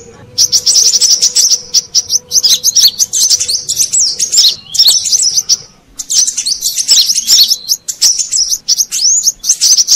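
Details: Shrill, fast chirping of a Brown-throated sunbird, an Indonesian lure sound for wild birds: long runs of high twittering notes broken by a short pause midway.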